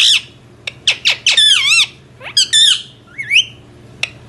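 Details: Indian ringneck parrot: rapid sharp chirps and downslurred shrieks, then wavering squawks and a rising whistled note, closing with a single click-like chirp.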